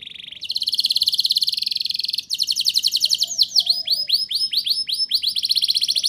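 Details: Rolling 'ngerol nembak' canary song for encouraging young canaries to sing: a low buzzy start, a long rapid high trill, then a series of swift rising whistled notes repeated several per second.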